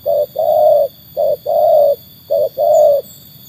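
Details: Tekukur (spotted dove), a trained bird proven against wild birds, giving clear low coos in short-long pairs, three pairs in quick succession, with faint high chirps from another bird near the end.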